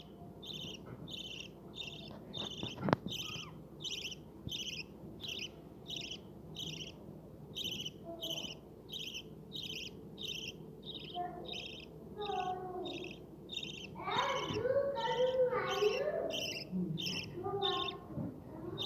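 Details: Budgerigars in a breeding setup with babies give a steady run of high, scratchy chirps about twice a second, then burst into warbling chatter.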